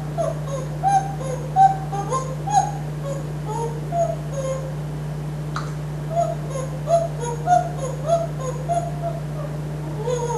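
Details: Pet African grey parrot, hatched 1997, living in a Texas home, softly whistling a self-made original melody while perched on a kitchen napkin holder; gentle rising and falling whistled notes in short phrases over a steady low hum.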